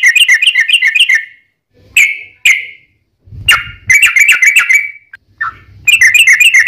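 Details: Yellow-vented bulbul singing a long, rapid, aggressive 'ropel' meant to lure other bulbuls into replying: fast bubbling strings of bright chirps, single sharp notes between runs, short silences and occasional low rumbling noise.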